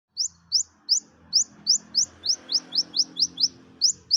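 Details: Olive-backed sunbird, a kept bird used as a lure to get reluctant birds singing, gives a rapid series of about thirteen sharp, high, upslurred chips, evenly spaced, with faint low hum behind.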